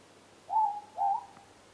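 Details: Morepork, or ruru, close by outside at night, one clean two-note call: a steady hooted note followed by a slightly rising second note, quiet background.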